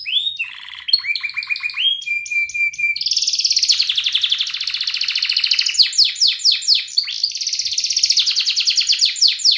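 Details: Canary singing a training song meant to teach young canaries, with ngerik, cuit cuit and rolling ngerol nembak styles: varied whistled notes and chirps climb into a long, fast, buzzy rolling trill and then rapid sweeping notes.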